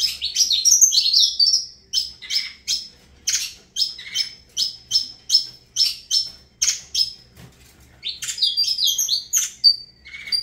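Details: Avalanche-style song of a Saffron finch: a dense opening flourish, then a long run of evenly spaced sharp chirps about three per second, ending in a tumbling high phrase.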